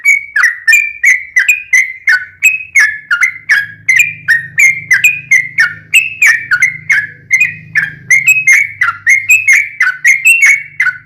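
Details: Yellow-vented bulbul lure song for captive birds: continuous rapid whistled notes, each sliding downward, roughly three per second, over a faint low hum.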